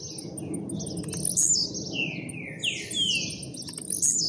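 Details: Newest captive Blue-black grassquit, almost out of molt, gives fast trilling song: high piercing chirps and a run of downward whistled slurs, against a constant low rumble.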